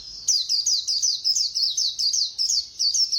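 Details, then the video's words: White-eye, 'líu' song sung fast: a steady string of loud, high, slurred whistles, roughly four per second, each with a quick downward sweep. "Khuyên Líu Hay _ Mau Mỏ _Tốc Độ _Tiếng chim Khuyên Líu"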